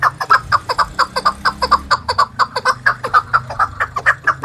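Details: Captive Chukar partridge trained for fighting, singing to challenge rivals: rapid chuck-chuck notes repeated about twice a second in a steady rhythm, with a low hum underneath.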